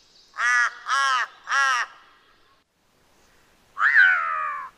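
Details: Large-billed Crow giving hoarse calls: three harsh, evenly spaced caws about half a second apart, a pause of nearly two seconds, then one longer, slightly drawn-out rasping caw. Otherwise a quiet background.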